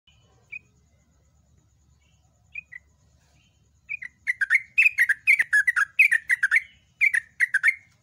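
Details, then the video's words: Yellow-vented bulbul, known locally as trucukan, singing loud and long: a few isolated bubbly notes, then from about four seconds a fast run of liquid, chattering phrases around mid pitch, roughly two notes per second. "MASTERAN BURUNG TRUCUK SUPER GACOR"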